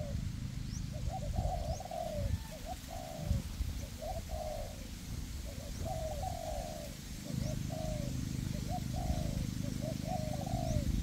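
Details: Decoy spotted doves, two caged birds paired as perch and ground lures, tested in a forest to draw in wild doves. Repeated hoarse coo phrases, each a short note then a longer falling one, over constant low rumble.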